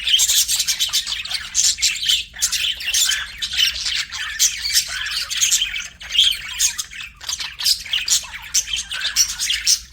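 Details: Budgerigar chirping: a continuous, dense stream of scratchy, high chattering and squawky notes with barely any pauses, steady throughout.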